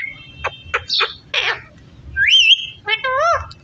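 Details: Pet parrot talking while eating a tomato: short speech-like harmonic syllables, then a clear rising whistle with a wavering top and a warbling, gliding call near the end.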